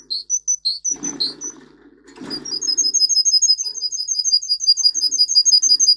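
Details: Russian singer canary song meant for teaching canaries to sing. It opens with a few separate high chirps and some rustling, then moves into a long, even, very rapid high trill of about three notes per second.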